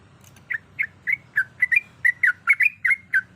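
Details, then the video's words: Sooty-headed bulbul female calling for a male, giving eleven crisp whistled chirps at an uneven pace, some notes paired and slurred upward, against a soft low background rumble. "Trucuk Malas Dan Macet Pasti Langsung Terpancing Emosi Bongkar Materi"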